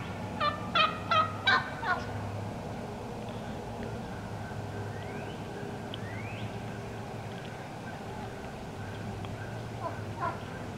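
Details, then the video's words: Wild turkey hens calling in the woods, with a fast run of about five sharp, raspy yelps early on, then faint rising whistled sweeps from other birds and occasional soft notes over a low background hum. "Wild Turkey Hens Cutting Yelping and Calling"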